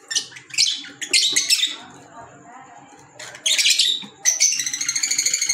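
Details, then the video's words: Green Fischer's lovebirds kept as pets, indoors; bursts of shrill, harsh high chattering squeaks, pausing midway, then a fast run of sharp repeated chirps at the end, with faint low background hum. "Fisher Love Birds Sound | African Lovebirds | Green Fisher Love birds Voice"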